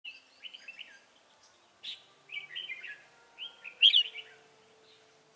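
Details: Red-whiskered bulbul used as a decoy bird for trapping: short warbled, slurred phrases around mid-high pitch in bursts, with one louder sharp burst near four seconds, quiet pauses between phrases.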